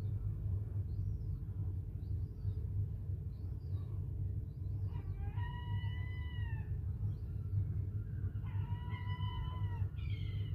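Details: Young gulls on rooftops in Whitby, newly hatched and running about; faint short calls early on, then loud drawn-out harmonic cries in two bursts midway and near the end, over a steady low rumble of wind or traffic.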